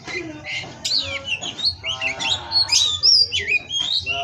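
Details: Oriental magpie-robin, a bred male kept in captivity in Indonesia, singing a dense run of varied high whistled phrases, sweeping up and down and rapidly changing, with faint low background hum.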